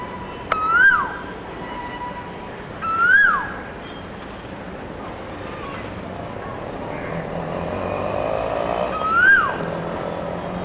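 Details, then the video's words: A male Asian koel sings from a neighbour's garden, giving three ringing whistled notes that rise and then fall away, two close together and a third after a long pause, over a low background hum and faint bird chirps. "An Asian Koel (Male)-Singing"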